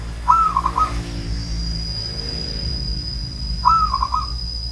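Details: Two rolling coos from an old zebra dove about three seconds apart, each starting with a bright upward note and breaking into four quick staccato beats, over a steady high tone and low rumble.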